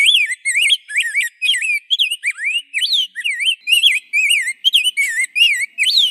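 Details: Continuous rose-breasted grosbeak song, clear rich whistles rising and falling in short notes, each given roughly every third of a second without a break.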